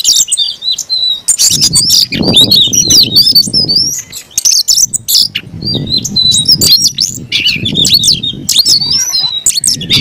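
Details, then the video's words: Aggressive fighting song from an Oriental magpie-robin. Continuous jumbled high chirps and whistled flourishes run over repeated low fluttering rumbles, like wingbeats. "kacer gacor tarung ngotot agresivitas bikin dongkrak emosi bongkar materi"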